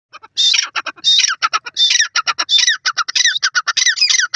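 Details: Grey francolin male and female calling together in a duet. Loud, harsh, squawky notes pour out in rapid overlapping bursts, building into a dense chattering series with short gaps between the bursts.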